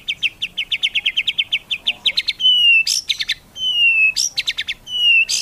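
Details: Song of a white-rumped shama, played to stir other shamas into vigorous singing: a fast run of sharp, evenly repeated high chips, then long clear falling whistles alternating with short rattling bursts.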